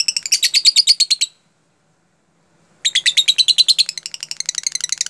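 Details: Lovebird singing a tight, closely spaced song style, used as a lure to teach other lovebirds: fast, rhythmic bursts of shrill chattering notes, two long runs separated by a short silence, recorded indoors with faint low hum.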